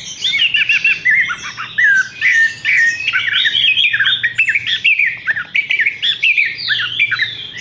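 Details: Loud, continuous song of Horsfield's bush lark: dense chattering phrases, descending whistled slurs and rattling twitters running almost without a break.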